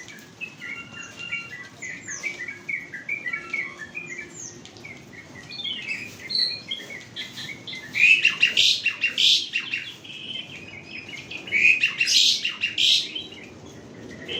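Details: Asian pied starling, a bird with many vocal variations, singing bursts of loud, chattering and shrill notes that build in the second half, over a steady broad hiss of background noise.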